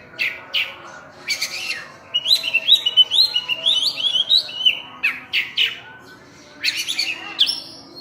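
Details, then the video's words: Oriental magpie-robin, locally called burung cincim pala, in full varied song: a run of rising whistled notes repeated about twice a second, mixed with harsh chattering bursts and high sweeping phrases. "Kacer Full Isian"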